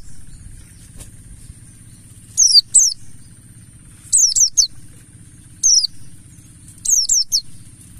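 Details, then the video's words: Mountain white-eye ngalas lure for setting birds singing: clusters of two or three crisp, very high descending notes every second or so, separated by quieter gaps filled with low hum. "Pancingan burung Pleci Buxtoni Ngalas"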